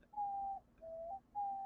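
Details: A pet female diamond dove indoors on Christmas evening gives three faint, soft, flute-like coos, each about half a second long; the middle note is lower and lifts at its end, in an otherwise quiet room.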